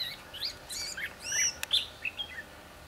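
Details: Red-whiskered bulbul recorded during bird trapping on 22 December 2015: a short burst of clear, bright warbled notes, some rising and arching, sung quickly over a faint steady background hum.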